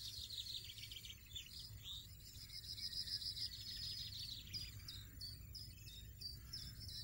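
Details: European goldfinch, a parent feeding young caterpillars, aphids and larvae, twittering quickly then giving a rhythmic series of clipped high notes about three per second, over faint low noise.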